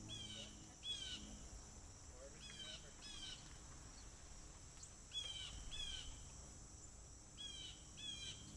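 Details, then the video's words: Trail camera at a water deck with many blue jays on the railing; harsh, descending jay calls come in paired bursts about every two seconds, over a constant high insect drone. "Do you hear all the blue jays calling?"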